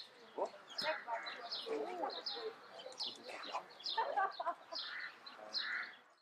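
A female Derbyan parakeet chatters in a quick run of harsh squawks, warbles and nasal notes, some almost speech-like, lasting several seconds.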